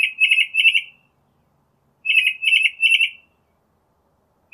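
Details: Northern mockingbird singing: two phrases, each of three quick, rolling, trilled notes on one steady pitch, separated by a pause of about a second.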